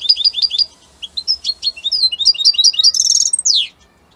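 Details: European goldfinch, Italy, singing rapid paired chirps, then varied liquid twitters building to a buzzy, nasal trill and a falling slur before silence.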